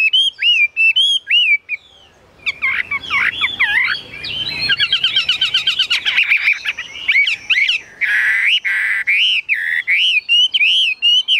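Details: Caged Chinese hwamei pouring out a long, varied song: clear whistled notes, a burst of tangled, fast warbling, then rapid rattling phrases and more looping whistles near the end.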